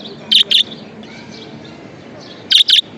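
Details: Pet budgerigar chirping: a quick pair of bright, high, sharp notes, a two-second pause with soft hum and faint chatter, then another matching double chirp.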